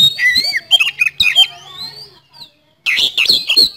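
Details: Kacer (Oriental magpie-robin) in rapid lure song: looping, warbled whistles and harsh squawky notes, a long rising whistle, a short silence, then a burst of sharp chattering.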